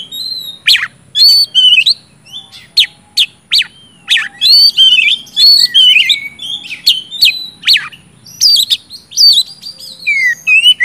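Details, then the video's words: Lively song of an oriental magpie-robin, used to trigger singing in silent birds; a long run of sharp chips, sweet slurred whistles and buzzy trills, dense and varied throughout. "kacer gacor ngeplong,sangat cocok buat pancingan kacer macet"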